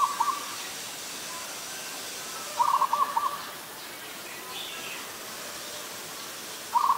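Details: Adult zebra dove recorded 24 December 2020 in Ubon Ratchathani, Thailand, repeating brief rattling coo bursts, several rapid notes each, at intervals of a few seconds over faint background bird chatter.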